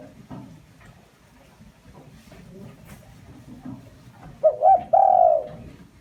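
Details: Lure call of a spotted dove used to provoke wild doves: after several seconds of faint background clatter, a single clear phrase arrives, short broken notes followed by a sustained mellow coo.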